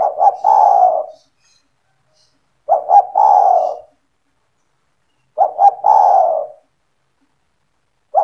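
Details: Kept spotted dove in energetic 'gacor' form, its call played to draw other doves into calling: three measured phrases of two clipped notes and a long falling purr, evenly spaced near three seconds apart, a fourth just starting.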